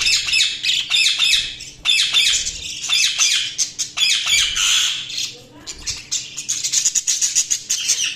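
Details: Budgies chirping continuously, a dense stream of high, scratchy squawks and chatter with brief dips, a constant low hum behind.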